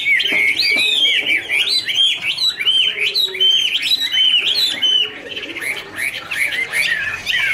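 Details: Chinese hwamei pouring out a warbling duet song while dancing: clear, loud, upslurred whistles repeated quickly, then softer jumbled twittering toward the end.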